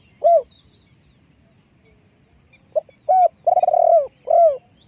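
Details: A single hoot, then after a pause a spotted dove phrase of short notes and a long vibrating coo ending in a clipped note. The bird is a decoy for attracting wild doves.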